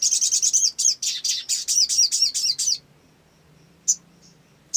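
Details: Energetic olive-backed sunbird song, meant to prompt other sunbirds to sing: a rapid, buzzy, high-pitched trill of about twenty notes lasting nearly three seconds, then silence broken by two sharp chips.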